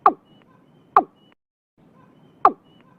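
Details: Watercock calling early in the year in Vietnam: three hollow, knocking notes, each a short sharp drop in pitch, the first two about a second apart, then a pause before the third.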